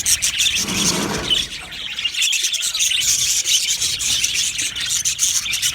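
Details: Australian budgies in an aviary colony, happy, produce dense overlapping chirps, buzzy warbles and quick tweets. A brief lower murmur appears around the first second.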